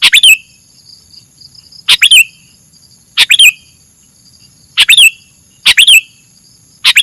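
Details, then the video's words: Sooty-headed bulbul song played to lure birds: six brisk, bubbly phrases, each a quick cluster of sharp chirps, arriving at uneven intervals, with a constant thin high-pitched hum behind them. "suara burung kutilang buat mikat"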